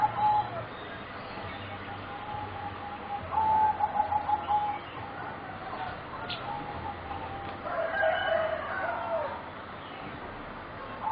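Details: Young competition-bred singing zebra doves, four birds about 3.5 to 4 months old, from a line selected over 60 years: faint high trilled cooing phrases that come and go over steady background noise.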